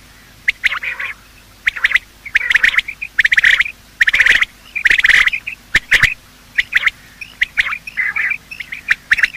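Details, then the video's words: Quail morning calling, male and female, used for hunting: grouped sharp notes, some drawn into short rattling bursts, spaced about a second apart. "Quail calling sound: master the Art of Quail tripping | Bater Awaz Subha"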